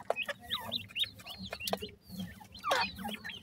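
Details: Two Sindhi partridge chicks, that is black francolin, utter clear, bent, high peeps in quick series, pausing briefly before a louder rustling burst and more peeps.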